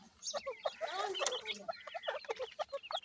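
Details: Dakhni teetar and desi teetar chicks being fed: dense overlapping thin chirps and peeps, some rising and falling, with a few short clicks and faint low murmurs beneath.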